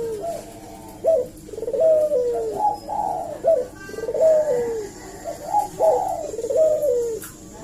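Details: Repeated lure call of a Eurasian collared dove meant to draw a reply: a rapid run of coos, each a short sharp note followed by a longer, gently falling coo, coming about every second and a half.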